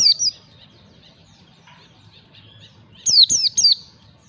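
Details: White-eye song used to train birds in ngalas style: two opening chirps, a long gap with soft faint twittering in the background, then three loud, high, downslurred notes.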